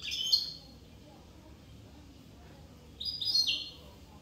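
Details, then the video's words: European goldfinch from Corsica giving two brief twittering phrases of high chirps, one at the start and one after about three seconds of quiet. "chardonneret corse"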